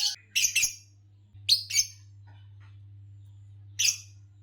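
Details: Green Fischer's lovebird, green color form, giving several short, harsh, shrill chirps in quick pairs, then a pause before one more chirp, with a steady low hum behind.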